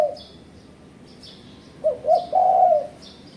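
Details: Single spotted dove phrase used to challenge rivals as a trapping lure: two brief low coos, then one longer drawn coo, against faint high chirping of small birds.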